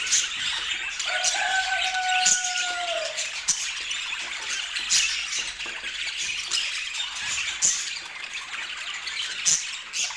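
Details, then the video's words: Budgerigars chatter in a dense twittering chorus, with a steady lower whistled tone running for a couple of seconds early on and scattered sharp clicks. "O Som dos Periquitos"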